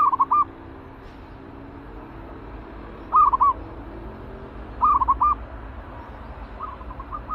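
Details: Caged zebra dove described as spirited and ready as a trapping decoy: short bursts of four to five soft, rolling cooing notes, repeated about every one and a half to two seconds over a low background hum.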